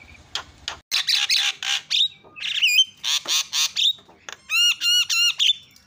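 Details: Javan myna calls played as a lure to set other mynas calling: loud grating squawks in short bursts, mixed with a few clear upward whistles and a closing series of ringing, repeated whistled notes.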